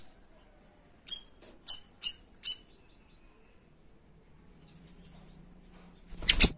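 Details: Cream-striped bulbul (cucak rawis) with its 'tembakan' song, used as a master recording for training songbirds: four sharp, high, clipped notes spaced about half a second apart, then quiet and a brief rustling noise at the end.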